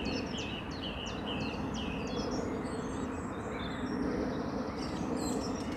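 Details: A Eurasian blackcap sings a fast run of bright, high, chattering notes that fades after a few seconds, beside a road with steady traffic roar, around 7 am on a sunny, frosty morning.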